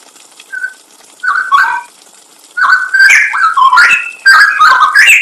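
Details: Cucak rowo (straw-headed bulbul) masteran with full 'nembak' fills for training songbirds: a lone whistled note, a short gliding phrase, a pause, then bright rising and falling whistles in quick succession over a faint steady hiss.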